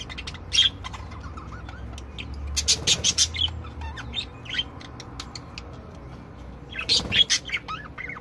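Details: Several budgerigars giving their chattering song: clicks, ticks and short warbled whistles, with louder harsh bursts around the third second and again near the seventh.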